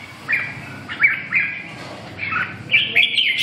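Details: Red-whiskered bulbul giving clear whistled notes in short separated phrases, each a quick slurred whistle, with a steady low hum behind.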